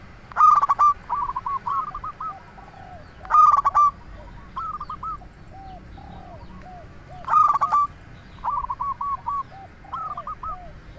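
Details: Local zebra dove singing a lure song to provoke other doves into answering: three loud stuttering bursts about every three to four seconds, each followed by quick hooked rolling coos, with fainter lower cooing from distant doves between.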